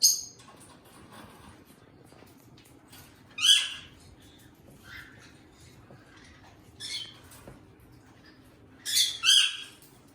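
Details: Pair of pet eastern rosellas filmed at close range: sparse high, harsh squawky bursts and piping notes a few seconds apart, separated by near silence.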